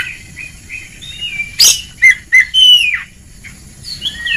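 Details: Oriental magpie-robin in ngeplong song style, a training recording meant to coax lazy birds into singing: soft high whistles, then a loud burst of sharp, clipped, rising and falling whistled notes near the middle.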